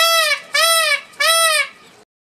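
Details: Peafowl at Parc de Sainte-Croix calling three times in quick succession, each a loud, ringing, slightly arched honking wail lasting about half a second, evenly spaced roughly every half second, with no other sounds.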